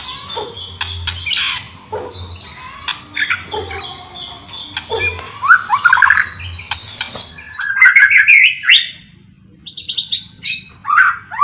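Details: White-rumped shama singing vigorously, used as master audio and to prompt reluctant shamas into song: varied sharp clicks, fluty slurred phrases and quick chattering bursts in irregular spurts, over a faint low hum.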